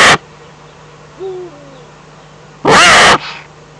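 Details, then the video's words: Eurasian eagle-owl, Eifel, spring 2014: two loud, raspy screeches, one at the start and one near the end, with a soft, low, slightly falling tonal note in the quiet gap between them. "eifel uhu"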